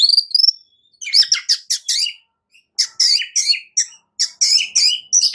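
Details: Morning white-rumped shama song, a bird learning to fight, used as a lure: clusters of high buzzy, scratchy chattering notes in short bursts separated by brief pauses, with one sharp click.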